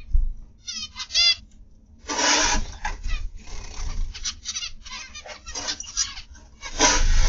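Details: Morning chatter from zebra finches kept in an aviary: a few separate nasal, stacked notes open the sequence, then overlapping buzzy calls from many birds follow with brief pauses, over a soft low hum.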